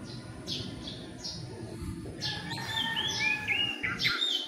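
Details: Philippine magpie-robins gathering nest material, perching briefly to sing, possibly to claim territory; clear whistled phrases with sliding notes and short chirps, over a steady low background hiss.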